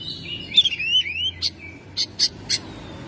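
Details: Oriental magpie-robin kept at home, in full song in May. A run of slurred whistles sweeping up and down, then four short, sharp clipped notes, evenly spaced, against a faint low hum.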